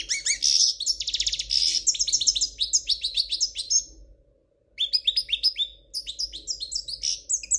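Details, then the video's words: Spanish royal European goldfinch in error-free song: a fast jangling run opens with buzzy trills and sharp tinkling notes, stops for about half a second, then resumes with tumbling high twitters and chattering phrases. "من تغريد الحسون الاسباني الملكي خالي من الأخطاء"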